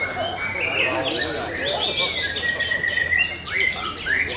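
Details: White-rumped shama singing at a bird singing competition: a rich run of clear whistled phrases, some sliding and rising, others long steady notes, over a murmur of crowd voices and overlapping chirps from other competing birds.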